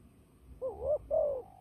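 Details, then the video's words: A single fighting coo from a turtle dove used for trapping: a wavering rising note followed by a longer level coo that falls away at the end. "fighting dove"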